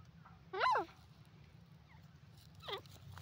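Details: Grey francolin, known locally as teetar, recorded in India in 2023: one loud, rough, rising-and-falling note, a faint short note, then a softer wavering note near the end, with constant low background hum.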